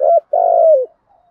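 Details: Spotted dove in the thúc gù cooing style with a deep voice, said to attract wild doves: one phrase of a brief hooked coo followed by a long, smooth note that slides gently downward.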